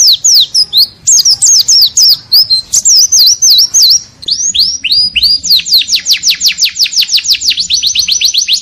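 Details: Kept white-eye singing a training song with isian fill-ins: varied high whistled phrases, then a long run of quick repeated downward-sweeping strokes, loud and continuous.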